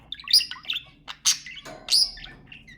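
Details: Budgerigars, kept as pets, calling to stimulate mating: bright high chirps and short squawks in scattered bursts, with sharp whistled notes between pauses.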